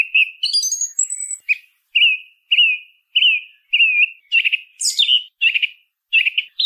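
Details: Song thrush in full song: a high, twittering opening, then a whistled phrase repeated several times in a row, followed by harsher, rougher notes that are also repeated, against a quiet background.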